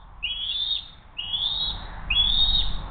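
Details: Eagles at the nest on 07-02-2023, 12:10, one trying to take food from the other; three shrill rising whistles about a second apart, over rumbling low background noise.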